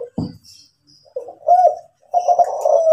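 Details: Kelantan-type spotted dove of the champion 'kuk 7' style, producing a soft wavering coo and then a longer low trembling one after a sharp thump at the start.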